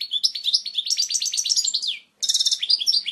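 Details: European goldfinch delivering a clear, powerful original song meant for teaching chicks: a long series of quick rising and falling twittered notes, a short silence, then a bright buzzy trill.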